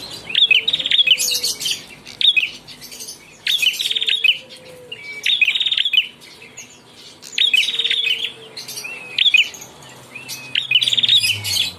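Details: Young ashy prinia in lively song, delivering short bursts of fast, high, rattling notes roughly every two seconds, separated by brief pauses, with a faint low tone beneath.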